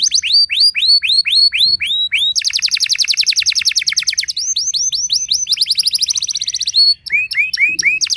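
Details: Canary lure song to draw other canaries into singing. Rapid curved whistles repeat steadily, then a long fast rattling roll, more bright swept notes and a closing run of quick chirps after a short break.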